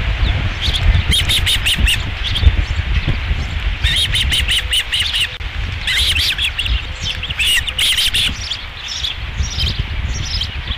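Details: Osprey at the nest at Dunrovin Ranch, 11 July 2016, second fish of the day arriving: several separate bursts of fast, high whistled chirps, each lasting about a second, between quieter gaps filled with steady low background noise.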